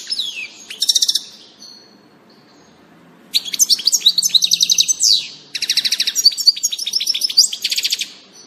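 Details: European goldfinch recorded on 19 June 2018: bright, high tinkling twitters mixed with buzzy down-slurred notes, in three rapid bursts separated by a quiet gap of about two seconds, with faint low background hum.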